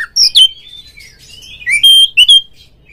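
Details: Song of a kept Oriental magpie-robin used as a rival lure to make birds sing and spread their tails: sliding whistles, a rising glide, then bright clear notes with sharp chips, two loud bursts.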